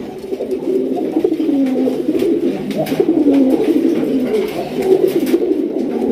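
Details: Raj Golla domestic pigeons (Columba livia domestica) coo steadily for six seconds, low, throaty and rolling, with overlapping phrases in a small indoor space.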